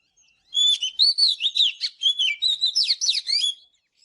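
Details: Morning singing from an Oriental magpie-robin: three seconds of quick, varied whistled notes, rising and falling slurs and squeaky trills delivered almost without a break.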